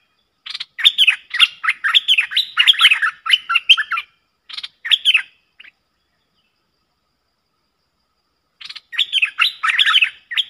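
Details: Streak-eared bulbuls dueling intensely in song, recorded 30 October 2021: dense run of liquid, chattering notes, a few short separate chirps, a long gap, then the bubbly phrases return.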